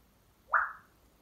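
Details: Pet male African grey parrot indoors, calling while left alone in the room: a single short whistled note that sweeps up sharply, then slides down and fades within about a third of a second, over a quiet background.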